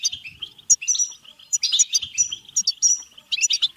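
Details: Goldfinch batbata, a song used to rouse goldfinches to sing and breed; quick, liquid chirping run with several drawn-out bright whistles and a fluttering trill underneath, loud and continuous.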